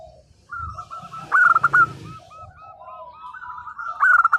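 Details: Local zebra dove singing briskly, a song used to rouse silent doves: a loud stuttering coo burst amid softer, steady strings of short coos from several birds, with faint low background noise.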